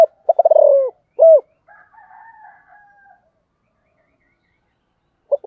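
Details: Spotted dove giving a sấm thổ style coo, gáy gọi và thúc (calling and urging coos): a rapid stuttering run of low hollow notes, then one strong drawn-out croo, with faint higher bird chatter after.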